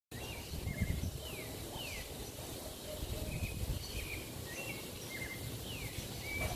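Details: Tropical mockingbird singing from near a balcony in Parque Lefevre, Panama City, a run of short, clear whistled notes and downslurs, several phrases repeated two or three times, over a low rumble of city noise.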